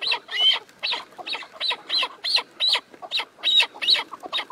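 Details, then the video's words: A chukar partridge gives harsh, clucking chuck notes in a fast, uneven run of about a dozen over four seconds, with no other sounds. "Keklik Sesi Yürek Hoplatıyor"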